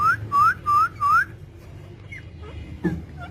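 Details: Four loud, clear rising whistles from pet parrots, evenly spaced about every third of a second, then quieter scattered squeaks and a brief click.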